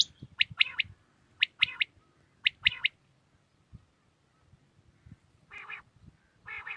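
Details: A common quail sings at early morning in Pakistan, three bright, rapid notes per phrase, repeated three times about a second apart, then two short buzzy bursts from another bird.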